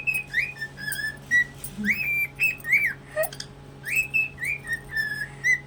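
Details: Cockatiel (Nymphicus hollandicus), song.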